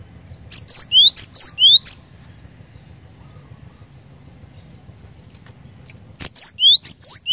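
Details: Cinereous tit sings in 'gacor' fashion: a quick burst of repeated high chirps and rising whistled notes, then about four seconds of near silence with faint background rumble, before the same rapid phrase resumes.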